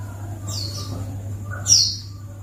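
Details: White-eye lure call to draw a response: two brief, high, downward-sliding chirps about a second apart, the second louder, with a constant low hum beneath.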